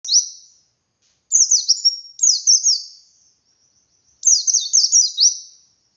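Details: Wild white-eye in forest-style ngalas song, used to prompt young captive birds to sing: high, thin phrases of fast downward-slurred notes, in bursts of about a second separated by short silences.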